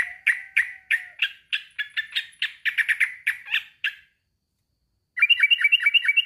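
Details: Male yellow-vented bulbul (trucukan) calling a rival: a steady run of short, harsh chattering notes about four per second, a brief pause, then a faster clipped burst. Background otherwise quiet.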